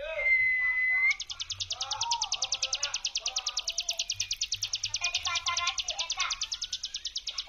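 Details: Ciblek gunung prinia "brem" lure song: a brief flat whistle and low chirps open, then a sustained rapid trill of high ticking pulses runs to the end, with other softer bird notes underneath.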